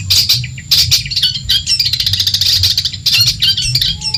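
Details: Long-tailed shrike from Madura, used to tutor songbirds that have stopped singing: varied high chattering with squeaky whistled slurs and harsh buzzy notes, broken by brief pauses.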